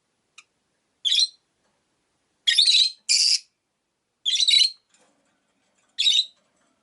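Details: A run of six harsh, high, scratchy chirps at irregular intervals from rosy-faced lovebirds kept as five birds in a cage by a window.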